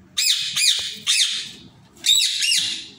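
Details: Indian ringneck parrot in an aviary giving five harsh, arching squawks in two quick bursts, each call sharply rising then falling, with a faint low rumble behind.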